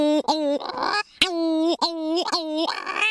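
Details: Raucous cackling of Cory's shearwater at a nocturnal breeding colony: nasal, comical wailing notes run together with strained rasping breaths between them, loud and close.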